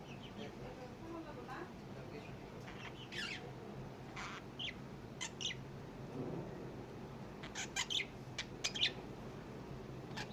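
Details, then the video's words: Pet lovebirds, several kept together, giving short, shrill chirps and squeaky squawks in scattered bursts that bunch up toward the end, over a steady low indoor hum. "love Bird"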